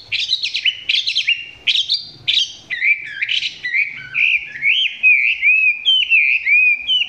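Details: Chinese hwamei in captivity, filmed close and singing below peak form: a lively seven-second stream of varied notes, first rapid harsh chirps, then looping, fluid whistles that rise and fall repeatedly with barely a pause.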